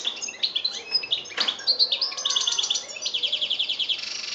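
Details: European goldfinch singing in Algeria, 2013: fast liquid twittering of varied high chirps and short trills, ending in a steady run of rapidly repeated, slightly buzzy notes.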